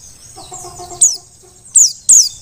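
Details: Mountain white-eye, wild-caught Merapi Dakun type, singing as a training model for other birds: three loud, piercing notes sliding downward, spaced unevenly, with a faint low hum beforehand.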